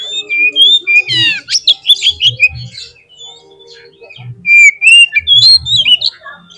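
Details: Lure song from a white-rumped shama, for getting a bird to sing: varied whistles and a harsh descending rattle, a quieter stretch of soft notes, then loud whistled phrases again.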